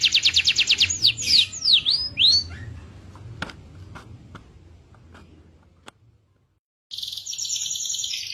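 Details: Indonesian local canary song, a rapid trill and swooping whistled phrases for about two seconds, then scattered clicks and a brief silence before a bright warbling trill resumes.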